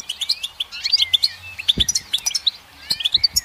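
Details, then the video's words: Goldfinch song, a quick run of liquid twitters and sharp tinkling chirps mixed with short slurred whistles, delivered in fast bursts with a soft thump partway through. "Goldfinch Song"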